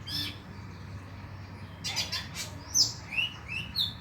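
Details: Konin lure recording for night singing: a brief high chirp, then bursts of scratchy notes and several clear, high, down-slurred whistles spaced about half a second apart, over a low background hum.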